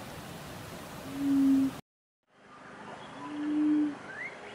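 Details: Laughing Dove in Western Australia giving low, soft cooing notes, two drawn-out hoots about two seconds apart, over a steady background hiss.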